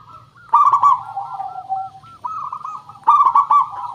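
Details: Zebra dove lure song: two strong, rapid trilling coo bursts framing a gently falling run of softer, rounded coos, with a steady low hum beneath.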